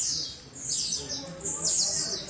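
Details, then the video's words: Blue-black grassquit singing in a frenzied, lively performance: high, thin, buzzy notes that sweep downward, given in quick succession with little pause over a faint low background. "TIZIU "ALUCINADO " BELA ATUAÇÃO"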